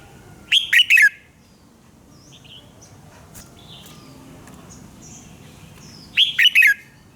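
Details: Red-whiskered bulbul singing in the morning, a lure recording for training other bulbuls: two short bright phrases of three or four quick, slurred whistled notes, one at the start and one near the end, with faint other birdsong between.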